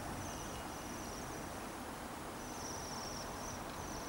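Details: Waxwings in Bryansk city in December give thin, high, bell-like trills in short bursts, several overlapping, over a steady rush of city noise.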